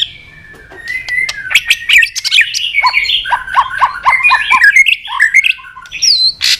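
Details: Highly excited White-rumped shama, stimulated to sing and flicking its tail on a perch: a dense jumble of whistles, chips and a quick series of descending notes, ending in a high, clear whistle.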